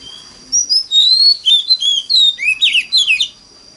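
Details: An Oriental magpie-robin sings a standard lure song to encourage other magpie-robins to sing. A long clear whistle leads into quick slurred phrases and a tumbling cluster of buzzy descending notes, with a constant faint high whine.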